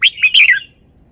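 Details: Red-whiskered bulbul giving a single short, loud phrase of three bright, slurred whistled notes that drop slightly in pitch and fade quickly.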